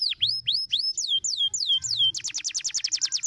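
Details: Canary singing to stimulate others: a few slow V-shaped and drooping whistled notes, then a burst of very fast, tightly repeated rising-falling syllables forming a bright trill.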